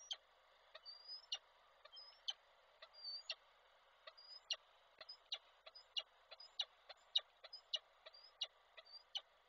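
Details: Koszalin, Poland, 16 February 2024: a male peregrine falcon with a prey gift calls the female, giving a fast, steady series of sharp ticks and brief high thin whistles, about two per second.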